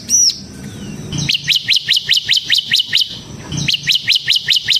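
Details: Bar-winged prinia (ciblek semi) in gacor, ngebren song style, used as a lure for training birds: a high thin whistle, then a rapid string of sharp down-slurred chips, about two per second-fraction, paused once and resumed.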